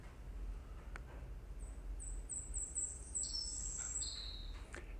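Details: Savannah Sparrow song, one example of songs individual to each bird: thin, very high chips speeding into insect-like buzzy trills, stepping lower at the end, over a low room rumble.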